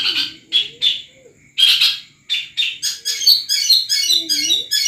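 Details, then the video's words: Caged long-tailed shrike of the Madura type from Pamekasan, singing full Armagedon material: sharp chirped notes and short whistled phrases in separate bursts, then a rapid run of repeated twittering notes in the final two seconds. A faint low hum lies underneath. "CENDET MADURA PETERPAN DENGAN MATERI FULL ARMAGEDON"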